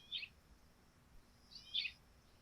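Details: Sparrows at dawn on a dew-covered thatched roof give two short high chirping bursts, the second longer and fuller, about one and a half seconds apart, over quiet background hum.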